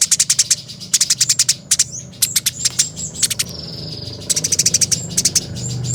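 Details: Eurasian tree sparrows fighting, recorded as master audio for training birds. Rapid trains of very high, sharp chirps come in fast bursts, with a few thin drawn-out whistles between them.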